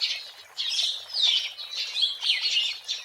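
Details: Wild oriental magpie-robin, used as a lure and trapping sound: a continuous stream of harsh, scratchy high chattering notes in rough pulses, about one a second.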